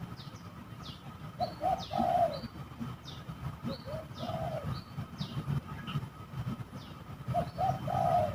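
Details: Spotted doves at a bird-trapping spot said to be eerie, heard during a fight: rhythmic low coos, two short notes then a longer rolling one, with higher thin downward chirps from other birds throughout.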